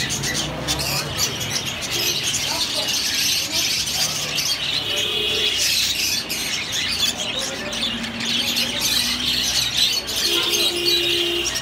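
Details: Many budgerigars at Katabon chatter at once, a dense stream of high warbling chirps and squeaks.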